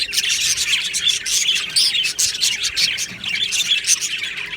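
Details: Colony of caged budgerigars, 22 June 2025: constant high chirping and scratchy squawks from many birds, with brief louder bursts over an unbroken twittering background.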